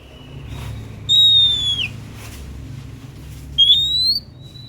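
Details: Oriental magpie-robin (kacer), described as a very persistent singer. Two loud, pure whistles: the first long and sliding downward, the second rising, each followed by a short softer note, over quiet background hiss.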